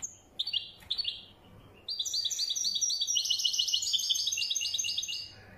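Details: Widani-style song of a European goldfinch: a few sharp separate chirps open, then a long, quick string of high, liquid, trilled notes runs unbroken for over three seconds.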